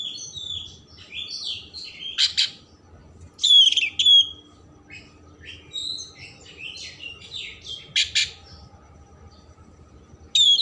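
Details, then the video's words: Oriental magpie-robin song full of rich mimicry, played to stimulate emotion and tail opening: scattered high chirps and whistles interrupted by several short, loud rasping bursts, fairly sparse overall. "Kacer Gacor Isian Mewah Merangsang/Perangsang Emosi Buka Ekor"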